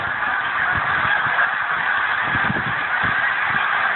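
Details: A massive flock of geese, thousands strong, suddenly rising from a frozen lake in Pemberton, New Jersey, in December; continuous dense honking from many birds at once, with some louder, more distinct honks bursting out across the chorus.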